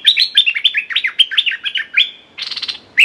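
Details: Red-whiskered bulbul used as a decoy against a clever territorial wild bird, pouring out a fast, continuous string of high chirped and whistled notes, ending with a rough buzzy burst.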